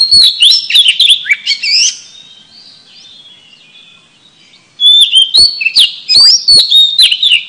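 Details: Lure song of an oriental magpie-robin: loud bursts of varied whistles and sharp chirps, a quiet gap of almost three seconds, then another vigorous rush of rising and falling whistled notes with crisp clicks.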